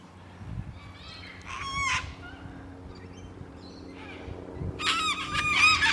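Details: Sulphur-crested Cockatoo in Carisbrooke Park, a suburban park with old River Red Gums along the Little Para River, South Australia, giving two harsh, raucous screeches, a short one then a longer, louder one, over a low background hum.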